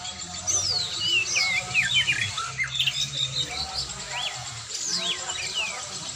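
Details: Oriental magpie-robin being trained, giving bursts of sharp whistled sweeps and loops, with a short pause midway before another lively phrase, over a steady low hum.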